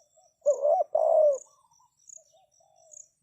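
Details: Spotted dove used as a decoy to lure wild doves, giving one loud two-part coo, a short note then a longer falling one, followed by faint soft murmurs. Insect ticking is heard in the background.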